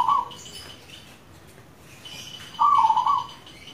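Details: Local zebra dove song used as a lure to get other doves singing: a short cooing phrase, a pause, then a longer, louder rolling coo, with faint high chirps of other birds in the background.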